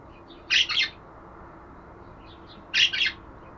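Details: Budgerigar making two scratchy double chirps about two seconds apart, each a bright burst quickly followed by a second, slightly lower note.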